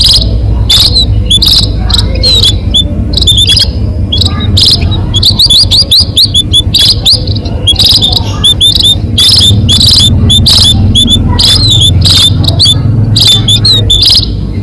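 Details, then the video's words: Munia lure recording meant to draw birds in for trapping: many thin, high, clipped chirps and rising peeps, densely overlapping in rapid runs, over a continuous low rumbling background. "SUARA PIKAT BURUNG BONDOL ATOU BURUNG PADI"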